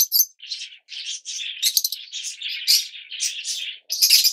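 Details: Yellow-mutation Fischer's lovebirds chattering indoors, a continuous run of short, scratchy, high squeaks and buzzy notes with small pauses, some sharper shrieks mixed in.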